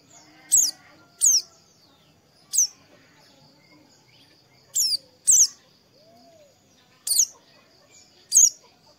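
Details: Oriental white-eye, a morning song played to stimulate a bird to open its beak and sing: loud, very high, steeply falling whistled notes, single or paired, spaced over several seconds against a quiet background.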